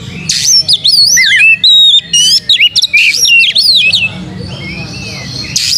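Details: Energetic lure song of an Oriental magpie-robin (kacer) fanning its tail: loud, varied whistled phrases sweeping up and down, some slurred notes and quick rattles, then a quieter trailing whistle, above faint low background hum.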